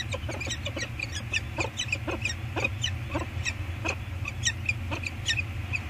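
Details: Wild peregrine falcon pair at their eyrie on Anacapa Island, calling to each other while working the nest scrape: harsh, clipped, rasping notes repeated rapidly in uneven bursts, several per second, over a steady low rumble of wind and surf.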